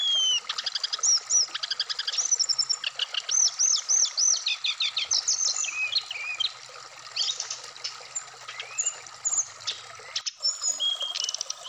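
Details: Brown-chested jungle flycatcher, a kept songbird placed out in the morning dew, singing a fast varied medley of high whistled notes, looping slurs and rapid trills, about three phrases a second, over a steady electrical hum.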